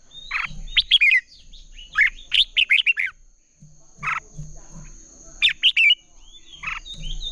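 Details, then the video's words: A Red-whiskered bulbul in contest-style singing, used to train and stimulate other bulbuls, gives bright, bubbly whistled phrases in short bursts every second or two, over a steady high insect-like whine. "Chào mào hót đấu"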